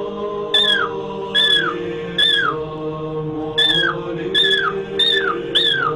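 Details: Pet cockatiel calling indoors in front of an icon: a repeated whistled note that slurs downward, given about every 0.8 seconds in a steady series, over a background drone of chanting or music.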